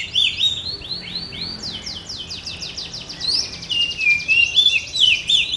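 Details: Oriental magpie-robin of the blorok variety singing hard while pushing its tail: a quick series of repeated sweeping notes followed by fluid rising and falling whistles, steady and loud over soft background noise.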